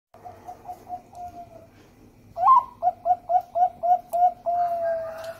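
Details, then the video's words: Zebra dove of the Bangkok type, a lure song meant to get other doves singing. Soft repeated low coos open the phrase, then a sharp rising note and a steady run of about seven clipped pulses ending in a long drawn coo. "Pancingan perkutut suara merdu"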